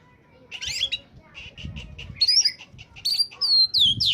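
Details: An oriental magpie-robin in full song, a recording meant to lure wild birds: harsh rasping bursts and rapid chips, then clear high whistled slurs rising and falling, with faint low background rumble.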